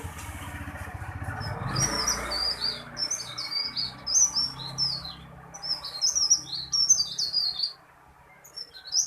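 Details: A small tailorbird in full voice, loud and long, with a rolling delivery: clusters of sharp, high, quickly slurred notes in bursts, and a faint engine rumble early on before a short pause near the end.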